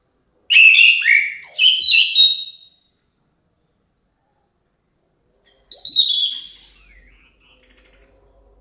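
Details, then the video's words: Orange-headed thrush singing vigorously. It gives two bursts of rich, varied whistled phrases that rise and fall, separated by about three seconds of silence. The second burst ends in sweeping high notes. "Anies Merah gacor menyala"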